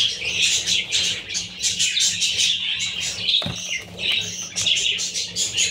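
Budgerigar chicks keep up a dense, high chatter of scratchy chirps and squeaks, overlapping continuously with no pause; a faint low hum runs underneath.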